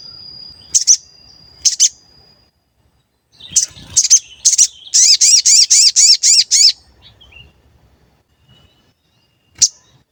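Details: Sooty-headed bulbul lure song meant to provoke other birds into calling and agitation. Two high chirps, a pause, several scattered notes, then a quick series of seven loud down-swept chirps, followed by quiet and one last chirp.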